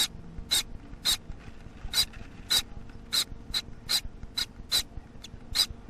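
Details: Baby Gouldian finch calling: harsh, raspy broadband bursts centred high, repeated roughly every half second in a steady series, with faint background hum.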